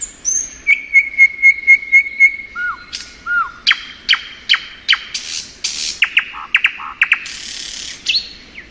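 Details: Thrush nightingale song in spring, starting with about six quick whistled pips and two low slurs. It then moves into a long, varied sequence of hard clicks, rasps and sharp notes.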